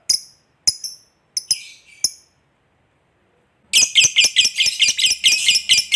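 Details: Fighter lovebird sound used to provoke rival birds: several sharp, separate high chirps, a pause, then a loud rapid chattering trill of harsh repeated notes for the last two seconds.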